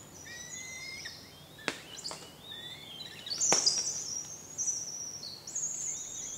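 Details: Two hungry fledged juvenile Northern Goshawks at the nest, as an adult brings food, give thin, high, drawn-out squealing begging calls that overlap and rise in intensity, with a few sharp rustling snaps.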